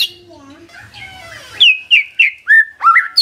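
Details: White-rumped shama lure song for drawing an answer from a silent shama: soft low warbling at first, then five or six loud, clear whistled notes with bends and upward slurs.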